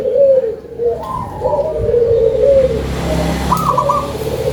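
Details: Local zebra dove, described as loud-voiced and in full song, giving low cooing phrases with a brief higher rolling note near the end; steady background hum.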